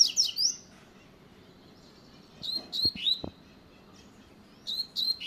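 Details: A double-collared seedeater gives its quick 'luxo' song, high clear whistles sliding down in short rapid phrases separated by silent gaps, with a few low thuds in the middle.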